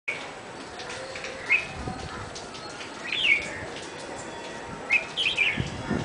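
Red-whiskered bulbul giving short, bright, bubbly phrases of a few quick notes, spaced one to two seconds apart, over a steady background hiss.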